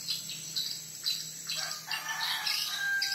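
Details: Swiftlet; lure call; attracting swiftlets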